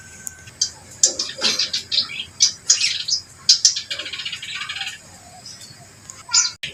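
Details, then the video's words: Reed warbler in full voice with loud, rasping chatter and sharp squeaks in quick clusters, pausing briefly between bursts, ending with a final harsh flourish. "burung kerak basi gacor"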